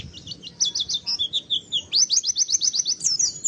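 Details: Oriental white-eye song used as a lure to make other white-eyes open their beaks and sing in full forest style: rapid high chirps and sweeping twitters, then a run of quick rising notes repeated several times a second.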